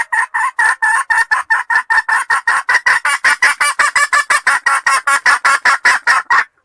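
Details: Red junglefowl lure sound: a steady rapid series of about thirty harsh clucking notes, roughly five per second, lasting over six seconds.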